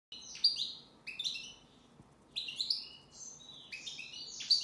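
European goldfinch singing: rapid bursts of bright, tinkling twitters and buzzy trills, high-pitched and delivered in quick phrases about a second apart.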